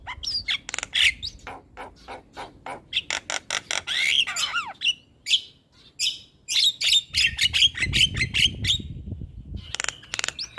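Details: Lively Javan myna (jalak kebo) singing as a lure for a reluctant bird: rapid bursts of harsh clicks and squawks interleaved with slurred whistles, a brief pause near the middle, then more chattering phrases.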